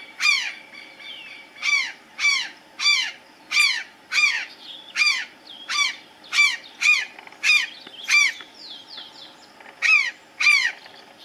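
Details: An Azure Jay (Cyanocorax caeruleus), resting on the topmost branch of a tree, gives loud, harsh, ringing nasal calls repeated roughly every half second to second in a steady series over faint hiss.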